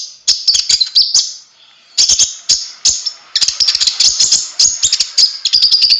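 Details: Konin singing in gacor style as tutor song: high, hissing twitters interleaved with rapid sharp clicks, in short bursts separated by a quiet second.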